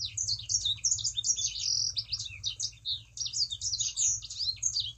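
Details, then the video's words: Sangihe shrike-thrush (burung sanger) singing, played as a lure to prompt other birds to sing: continuous fast, high chattering song of sharp twittering notes and quick slurred whistles over a faint low hum. "Burung Sanger Gacor. Pancingan Burung Sanger Supaya Ikut Gacor"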